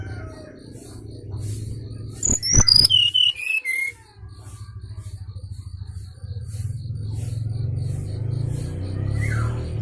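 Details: Sooty-headed bulbul lure song used in bird trapping: a quick descending cascade of sharp whistled notes lasting about two seconds, followed by a steady low rumble with soft rhythmic ticking and one faint falling note near the end.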